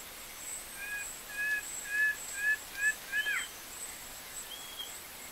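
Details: Plain-winged antshrike recorded at Parauapebas, Pará, Brazil: a series of about seven doubled, mellow two-tone notes that quicken and end in a slurred, downward-bending note, over a steady high insect hum.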